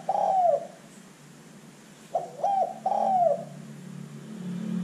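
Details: Spotted dove recording meant as a lure to make other birds call: two hoarse cooing phrases, each of clipped low notes ending in a long sliding coo, against steady low background hum.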